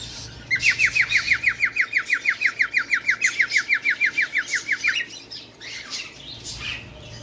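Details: Bengalese finch singing a fast, even train of about twenty bright downslurred notes, roughly three per second, over a faint hiss, then a short pause with softer chatter.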